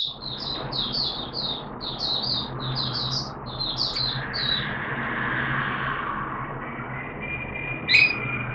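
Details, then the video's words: Oriental white-eye, a caged bird in its second day of a monthly deworming treatment, dated 13 September 2022, sings a run of quick high twittering notes in the first half, then a lower hum and one sharp chirp near the end. "Mata Puteh T Rex Buka Sing"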